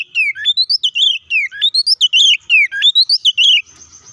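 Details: Loud fighting song of an Oriental magpie-robin, used to provoke rivals: a rapid stream of ringing whistles with steep upward and downward sweeps, repeated in similar phrases, then stopping.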